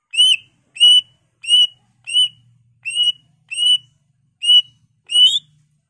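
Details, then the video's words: Singing greater green leafbird, meant to spur other leafbirds to sing: a slow series of eight bright, upward-slurred whistles, each spaced roughly two thirds of a second apart, steady and clean against silence. "Pancingan Cucak Ijo Merangsang Cucak ijo lain"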